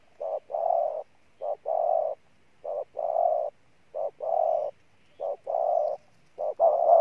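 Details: A decoy spotted dove, hailed as the toughest cooer of the year, repeats an even pattern of a clipped note and a longer soft coo, steady and unhurried.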